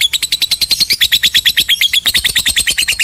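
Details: Lovebird giving a long ngekek chatter, the Indonesian style meant to rouse quiet birds into singing: a fast, steady run of harsh, buzzy, high notes, about eight each second, lasting the whole three seconds.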